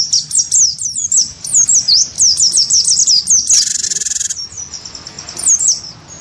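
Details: Wingko-type cinereous tit singing in a cage, goaded to duel a white-eye. Rapid runs of sharp, high, downslurred whistles, a grating buzzy burst, then thinner scattered notes.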